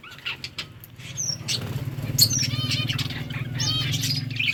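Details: Lovebirds eating boiled rice produce scattered high, thin chirps and brief twittering notes above a loud, continuous low rumbling hum that persists through most of the recording.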